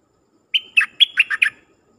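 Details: Decoy dok taeng bird calling in wild birds with its song: a brisk one-second phrase of six loud notes, mixing steady whistles and dropping slurred chirps, with no other sounds around.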